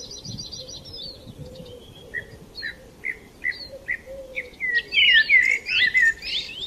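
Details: Sparrows chirping in the morning: sparse single chirps repeated roughly every half second, building to loud, rapid, overlapping twitters near the end, with a faint continuous tone underneath.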